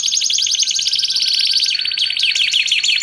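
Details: Canary producing an unbroken high chattering trill for training and luring, which shifts partway through into quick repeated falling notes.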